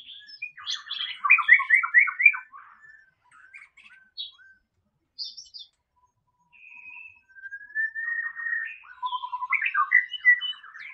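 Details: White-rumped shama singing in the wild in Indonesia: rich, varied phrases of quick rattling trills, chattering notes and clear rising whistles, with brief pauses between bursts; no other sounds intrude.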